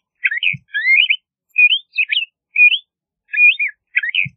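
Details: Song of LeConte's thrasher: brisk paired and slurred whistles, rising and falling, repeated in short phrases with small gaps, plus two faint low thumps.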